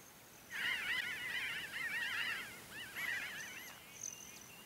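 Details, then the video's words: Pinyon jay flock foraging and flying at Great Sand Dunes, San Luis Valley, southern Colorado: a sudden burst of many overlapping nasal, wavering calls from several birds, continuing for about three seconds, with a faint high hummingbird wing trill behind. "Pinyon Jay flock calls"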